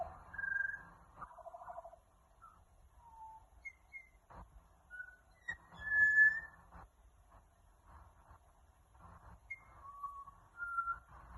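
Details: Australian magpie song recorded in Australia: scattered clear fluted whistles at varying pitches, some short and some held, separated by pauses, with faint low background noise.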